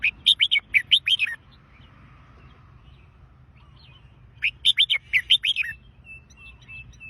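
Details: A red-whiskered bulbul gives two lively warbled phrases of rapid bright notes, each about a second long, with a pause of roughly three seconds between them and a faint steady hum beneath.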